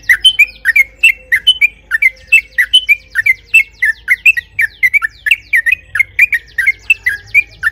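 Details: Sooty-headed bulbul song intended to provoke other birds: a long, unbroken run of lively chirped and slurred notes, about three per second, varying slightly in pitch, over a faint low hum.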